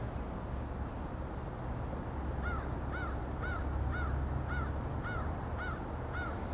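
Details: Canada geese flying over the Allegheny River at Olean, New York, at sunrise: a steady series of about nine clear, slightly arched honking calls, each under a second apart, over a constant low rumble of water and wind.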